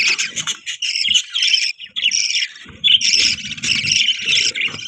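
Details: Pet budgerigars chirping in a dense, continuous chatter of warbled, buzzy notes, several birds overlapping with brief pauses around the second and third seconds.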